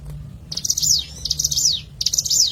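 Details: Ciblek gunung prinia calling in the wild, played as a lure: three short bursts of high, trilling, buzzy notes, each sweeping downward, coming about every half second to second, with faint background rumble.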